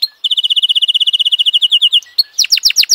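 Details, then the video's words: F1 canary singing: a fast, even trill of about thirty bright identical notes over two seconds, then a brief pause and a burst of sharp, steeply sweeping chip notes. "suara kenari f1 keren dan mewah"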